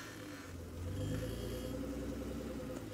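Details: A vehicle engine idles and revs with a low droning hum during a sunrise safari drive at Sabi Sand; no animal calls stand out.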